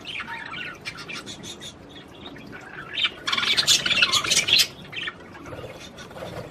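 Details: Singing Australian budgerigars, a warble to encourage mating: scratchy chatter building to a dense, loud run of harsh squawks and clicks midway, then fading to soft twitters.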